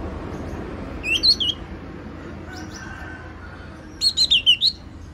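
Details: Two short phrases from a yellow-cheeked tit, each a bouncing series of clear whistled notes sliding down and back up, the first of three notes and the second of about five, separated by nearly three seconds of soft hiss.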